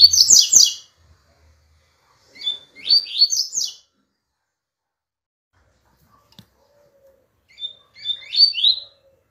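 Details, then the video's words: Double-collared seedeater song: short bursts of rapid, high twittering notes sliding and warbling, one phrase at the start and two more after pauses, with a faint low hum under the first burst. "CANTO DO PAPA CAPIM"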